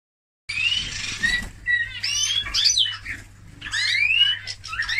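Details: Eurasian bullfinch singing: a varied run of short whistled notes, some rising and some falling, mixed with creaky, buzzy phrases and brief pauses. A low steady hum sits underneath.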